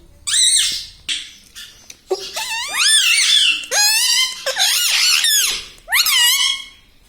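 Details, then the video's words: Pet rose-ringed parakeet talking, saying "mummy": near-continuous chattering speech-like phrases of loud, harmonic, up-and-down syllables that flow into one another, with only a short break. "bolta parrot talking video"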